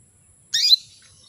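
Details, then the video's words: Female canary calling males into breeding condition: one loud, brief, harsh chirp sweeping steeply downward, lasting about a quarter second, in near silence. "PANCINGAN KENARI BETINA MEMANGGIL JANTAN"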